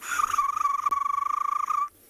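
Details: Crested barbet on a morning safari in a South African game reserve, 11 September 2021, gives its ventriloquial call, a sustained, rapid, even trill like a muffled alarm clock, held at one pitch for nearly two seconds, then stopping abruptly.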